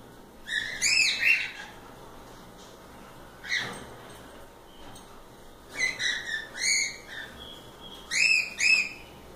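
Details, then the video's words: Several loose cockatiels at play give bursts of bright, rising-and-falling chirps in groups of two or three, spaced by quiet gaps, with one soft broadband rustle midway and a faint constant hum underneath. "Calopsitas Live Canto dos pássaros"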